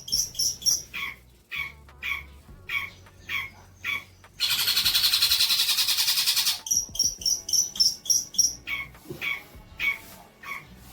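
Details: Long-tailed shrike song as training material for young birds: repeated short paired notes, high then lower, roughly twice a second, broken by a long harsh pulsed trill before the paired notes return.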